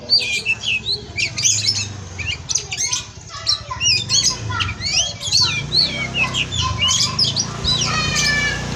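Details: Oriental magpie-robin, known locally as kacer, singing in a breeding aviary: quick harsh squawks and bright whistled notes alternate, ending in a sequence of descending repeated whistles; low rumble beneath.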